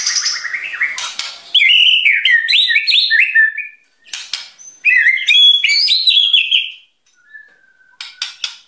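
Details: Energetic song of a white-rumped shama, whose singing is said to agitate other birds: rich, rapid whistled phrases rising and falling, jumbled twittering bursts between, two long runs split by a silence, ending with a faint thin whistle.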